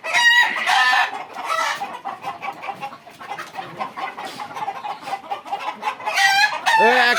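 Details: Fayoumi chickens, an Egyptian breed, heard in a crowded farm flock in Bakshiganj, Jamalpur. Loud squawks open the scene, dense low clucking follows for several seconds, then a rising, wailing cackle ends it.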